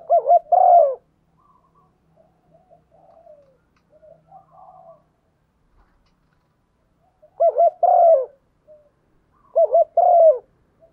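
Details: Female spotted dove calling to excite a male into cooing, kept for luring: loud low coos, two quick wavering notes then a longer falling one, given three times with soft quieter notes between.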